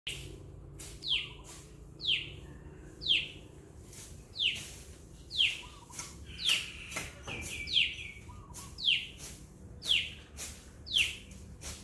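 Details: Common tailorbird calling, sharp downslurred notes repeated roughly once a second in a steady series, each note sweeping down from high pitch, with faint low background hum.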